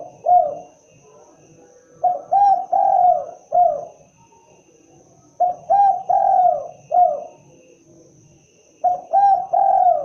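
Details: Typical call of the spotted dove, locally called derkuku or tekukur: three repeated phrases about every three and a half seconds, each a short note, a doubled coo, a long drawn coo and a brief closing coo.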